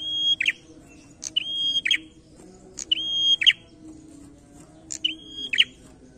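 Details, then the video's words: Loud prinia giving its challenging song: four phrases of click, steady even whistle and rapid chattering ending, evenly repeated, over a quiet background. "PRENJAK GACOR NARUNG"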